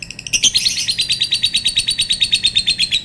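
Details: A lovebird delivers a sustained long call, an unbroken stream of high, sharp chirps repeated about three times a second after a brief harsh start.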